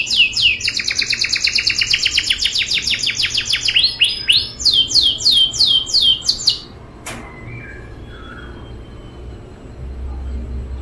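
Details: Lively canary performing a rolling song for young canaries to learn: a long, rapid high trill runs for several seconds, shifts into slower downward-swept notes, then breaks off abruptly, leaving near silence with a faint low hum.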